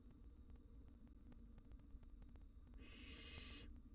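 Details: Single loud, rasping hiss from wild barn owl nestlings in their nest box as a cockroach intrudes, a broad breathy burst of nearly a second following quiet hum and faint ticks.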